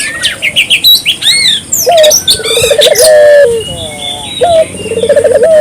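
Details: Barbary dove calling energetically, used to prompt local doves to call: low, mellow coos, a short note, a quick pulsed stutter, then a drawn-out tone, mixed with busy high chirping and whistling from other birds.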